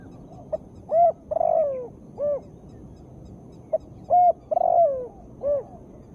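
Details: Spotted dove female giving its call, meant as therapy for birds reluctant to sing: a four-part cooing phrase heard twice, short note, clear coo, long burry descending coo, rounded ending coo.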